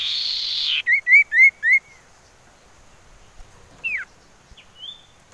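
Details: Common iora whistles played as a lure to get other birds singing: four short arched whistled notes in quick succession, then a falling slurred note and a faint rising whistle, after an opening burst of broadband hiss.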